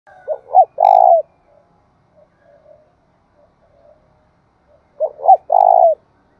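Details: Decoy spotted dove used to lure wild doves, cooing twice: each phrase is two short rising notes followed by a longer, rolling, low coo, with phrases about four seconds apart and quiet between.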